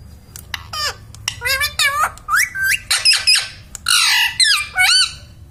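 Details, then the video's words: Talking pet parrot, said to say mummy, papa and radhe radhe, uttering a run of about a dozen short, harmonic, speech-like squawks with sliding and warbling pitch, in a small indoor room. "parrot talking mummy"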